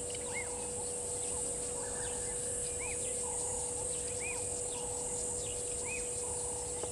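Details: Blacksmith Lapwing, a family of two parents and two young, at Gowrie dam waterhole, Djuma Game Reserve, Sabi Sand, South Africa, mid-morning: short metallic clinking notes every second or two over a steady electrical hum and high insect hiss.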